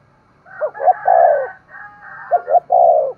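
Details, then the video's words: Spotted dove cooing, used to stimulate other doves to coo: two phrases of short low notes and a long coo, overlaid by a higher, hoarse second voice. "Tiếng chim cu gáy kích bổi hiệu quả mỗi ngày, thúc gù và gáy gọi"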